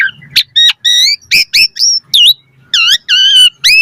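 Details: Jalak suren (Asian pied starling) in lively full song: harsh harmonic squawks alternating with bright rising and falling whistles, short bursts separated by brief pauses, faint low hum underneath.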